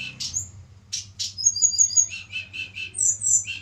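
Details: Tledekan gunung from Java in captivity during pairing; harsh chips lead into a row of high clear whistles, then repeated lower buzzy notes and two bright upslurred whistles, over a steady low hum.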